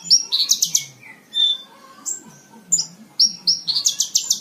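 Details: Lark singing, recorded to train cage birds: bursts of bright chirps and sweeping whistles, a clear descending whistle, then a dense rapid series of loud notes closing the phrase.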